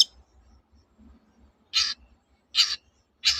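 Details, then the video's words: Long-tailed shrike recorded to prompt silent shrikes to sing again: three harsh, rasping bursts spaced roughly a second apart, with a soft low hum between them. "BURUNG CENDET GACOR TOET-TOET, memancing cendet macet kembali gaco"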